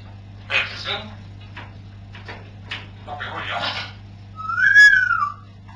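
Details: Pet parrots indoors producing soft, speech-like chattering syllables followed by one loud, clear whistle that slides gently downward and rings with strong overtones, against a steady low hum.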